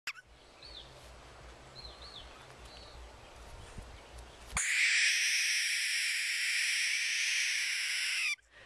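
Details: An unhappy, cranky young barn owl (Tyto alba) in rehabilitation, being moved to a larger enclosure before release, gives a long, harsh, breathy hiss lasting nearly four seconds, after a quiet stretch with a few faint, high chirps from small birds.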